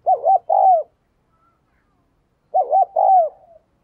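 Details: Spotted dove decoy cooing to encourage others: two mellow phrases roughly two and a half seconds apart, each with a pair of quick wavering notes and a drawn-out downslurred coo.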